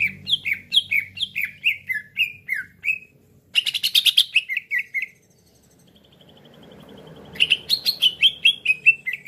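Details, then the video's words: Trapping lure of cucak ijo: series of short downward-slurred whistles, roughly four per second, broken by a harsh buzzy burst, a pause with faint low rumble, then another falling whistled run. "PIKAT CUCAK IJO LAIN CEPAT RESPON"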